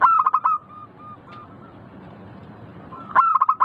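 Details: Local zebra dove (perkutut lokal), sound used to make birds start singing quickly: bursts of rapid, mellow rolling coo notes at the start and end, linked by softer drawn-out tones.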